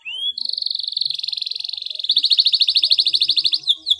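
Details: Canary singing a clear rolling song to stimulate silent canaries: a rising whistle leads into a long continuous fast trill that shifts to slightly slower, louder pulsed notes near the end.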